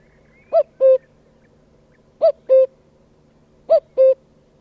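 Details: Himalayan cuckoo calling: low, hollow hooting notes given in pairs, the first slightly higher and shorter than the second, each pair repeated about every one and a half seconds, three pairs in all, over a faint steady hum.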